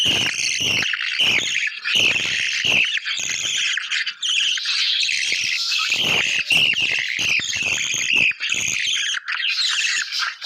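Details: Newborn budgerigar chicks give a steady stream of high, scratchy chirps and squeaks.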